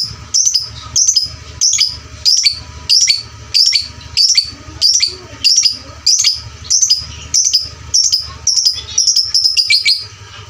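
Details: Loud fighter lovebird lure for training champion fighter lovebirds: a long, steady series of sharp, squeaky chirp bursts about every 0.6 seconds, speeding into a quick run near the end, with a low hum.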